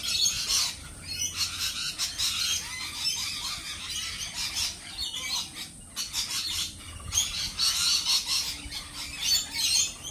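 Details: Shrill squawking from a group of lorikeets, harsh bursts building and fading with a brief lull in the middle before loud screeches resume.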